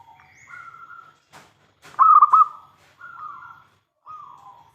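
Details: Local zebra dove used as a calling lure: a single loud burst of three quick coos in the middle, surrounded by softer, long level whistled notes and a few clicks.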